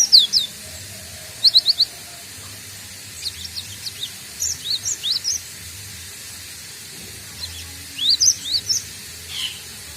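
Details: Young cinereous tit (gelatik batu) learning its song, newly able to give the ngombyok style: scattered short, high, thin chirps in small groups of two to four, over a steady background hiss.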